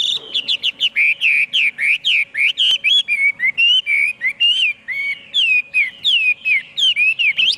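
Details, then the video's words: Song of a Chinese hwamei, a long rich sequence of loud whistled notes, many swooping down then up, delivered rapidly and continuously with varied phrasing over a low constant hum. "tiếng chim hoạ mi hót cực hay"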